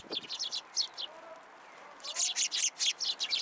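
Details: Several sparrows coming for food at a Tenmangu shrine, late December 2022. Quick high chirps in short clusters, a pause of about a second, then a louder run of chirps repeated roughly every quarter second.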